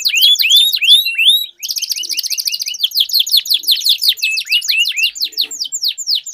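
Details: Canary duel: rolling series of quick falling whistled notes, a brief pause, then a long buzzy high trill layered under further rapid descending sweeps.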